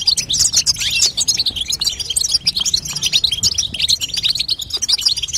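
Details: Female European goldfinch calling to encourage a young goldfinch to sing, an unbroken stream of fast, high, tinkling chirps and buzzy twitters.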